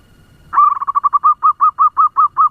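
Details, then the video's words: Local decoy zebra dove with a fast voice, used to provoke other doves: a sharp opening note runs into a quick trill of soft coos that slows into evenly spaced rounded notes, loud and clean against near silence. "Perkutut lokal pemikat suara ngebut‼️Bikin perkutut lain ribut"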